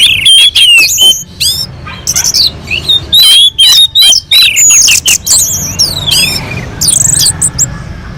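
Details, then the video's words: Melodious, continuous song of an orange-headed thrush from a mountain slope, meant to provoke other birds to sing; bursts of sweet warbled whistles and slurred notes pour out in quick succession, broken by short pauses. "kicauan anis merah sangat merdu dan gacor untuk pancingan"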